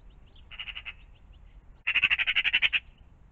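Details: Magpie at a pond in the morning, with a short rattle of five harsh notes followed by a longer, louder chatter of about a dozen rapid clacking notes.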